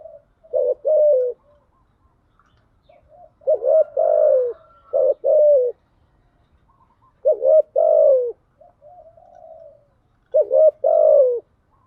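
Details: Decoy cooing of a spotted dove for luring doves. Four spaced phrases arrive roughly every three seconds, each stuttered notes ending in a drawn, falling coo, with faint soft notes in the gaps.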